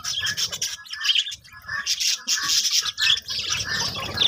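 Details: Budgies in a colony breeding setup give harsh squawks and busy chattering in dense bursts, with several birds calling over each other.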